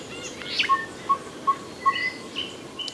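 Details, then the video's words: Tinkerbirds, heard everywhere but unseen, in coastal forest in Zululand, South Africa, around sunrise, repeat a short, hollow, mid-pitched note about every 0.4 seconds, steady and even, while other birds chirp and whistle higher in the background. "You can hear these tinker birds everywhere."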